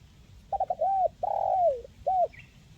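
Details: Spotted dove (tekukur) call aimed at getting lazy birds to sing: stuttered short notes, a curved hoot, a long descending coo and one last hoot, with a faint higher chirp at the end.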